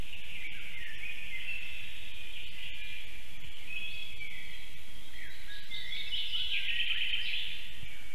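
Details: Black stork Ogris, at a Latvian forest nest, comes home at 5:58 pm on 9 April 2024, calling while defending before flying off again: a long, wheezy, high hissing whistle rising into fast rasping chatter, over low wind rumble.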